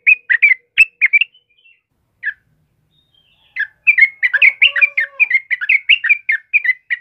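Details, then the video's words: Sooty-headed bulbul as a cage-bird master: a few quick whistled phrases, a quiet gap of about two seconds, then a dense run of bubbly notes joined by a faint, lower steady whistle. "SUARA TRUCUKAN GACOR Cocok Buat Masteran Dan pancingan"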